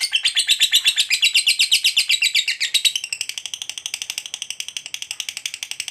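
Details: Fighter lovebird's extended 'ngekek' trill, used as a lure so other lovebirds start trilling. Very rapid, high, scratchy pulses, about four a second, run continuously and speed up slightly in the second half.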